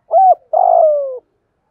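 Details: Captive spotted dove used as a decoy, 'giọng thổ' voice style, utters one short hollow coo followed by a longer, slightly rough note that slides gently downward.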